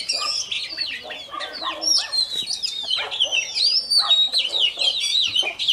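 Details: Morning singing of a freshly caught Oriental magpie-robin warming up: fast, ringing whistled phrases interleaved with buzzy chattering notes, several per second, steady and loud across the whole stretch.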